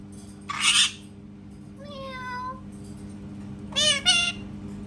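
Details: Parrot making cat sounds: a harsh squawk, then a thin wavering meow-like tone that slides downward, and finally two short nasal meowing bursts, with a low steady hum beneath.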